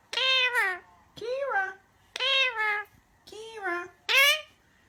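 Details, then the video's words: A pet parrot talking indoors, producing five clear, tonal, meow-like phrases about one second apart, each rising then falling in pitch, with near-silence between them. "Parrot talking adorable"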